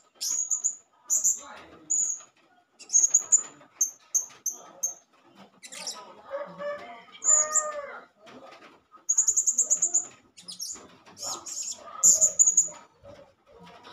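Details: Blue-crowned hanging parrot, a male, calling as a lure to provoke other hanging parrots: very high, thin, sharp chirps and short trills in repeated bursts, with lower harsher chattering notes in the middle.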